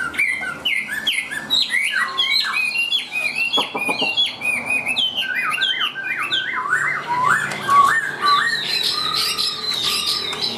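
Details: Chinese hwamei, tame and carried by hand, giving a long song of repeated slurred whistles in quick series, with a short harsh section in the middle and higher whistled phrases at the end.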